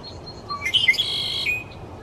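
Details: A male Red-winged Blackbird in the Pacific Northwest sings from a high perch: a few quick rising notes, then a harsh, buzzy trill ending in a short drop. Faint chirps from other birds are heard behind it.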